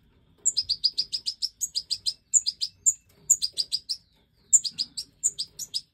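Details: Captive-bred European goldfinch of the Major form, five chicks just out of the nest, begging as their mother feeds them: rapid runs of shrill high chirps, each burst led by a thin piping note, short pauses between bursts.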